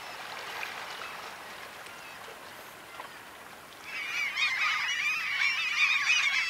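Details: Black-legged kittiwakes (Krykkje) at a breeding colony on coastal Møre and Romsdal, Norway, in mid-May; a quiet start gives way after four seconds to a dense chorus of nasal, wavering calls overlapping from many birds.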